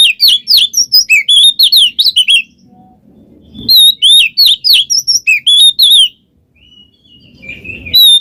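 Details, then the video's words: Oriental magpie-robin pouring out ngeplong ngekek song, meant to coax a quiet bird: two long bursts of rapid, ringing whistles, some rising and some dropping, separated by a short lull with soft low noise, then a last whistled note. "suara burung Kacer NGEPLONG ngekek cocok buat pancingan Kacer males bunyi"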